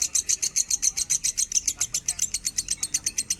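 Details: Lovebird singing a minor, standard-tone song, recorded as training material for other cage birds: a fast run of shrill, high chirps repeated about four times a second, steady and piercing, with little else heard.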